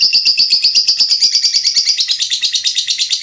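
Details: Loud, dense lovebird song recorded as a tutoring track for songbirds: quick, buzzy high chirps repeated about three times per second, continuous and unbroken.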